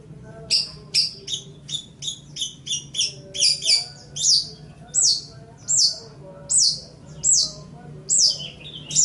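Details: Long-tailed shrike (cendet/pentet) song made as a training recording for other songbirds: short high notes, then a steady run of sharp, bright, falling sweeps at about one per second. Faint low background hum.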